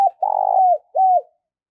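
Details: Spotted dove kept as a decoy, cooing to lure wild birds: the phrase ends with a long, pulsing hoot sliding down, a brief gap, then a final falling coo; a click is heard at the very start.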